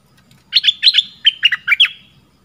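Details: Red-whiskered bulbul, southern Thai type, played as a lure; a quick phrase of about ten sharp chirped notes in pairs, bright and bouncing, lasting about one and a half seconds.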